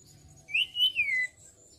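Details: ['A white-browed shortwing training-lure recording: one clear whistled phrase, a short rising note, then a long slur that swoops up and falls, lasting under a second over quiet background.']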